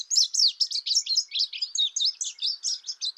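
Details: Indigo bunting giving a steady run of high, sweeping chirped notes, about six per second, each note sliding down then up, continuing without pause for over three seconds against a silent background.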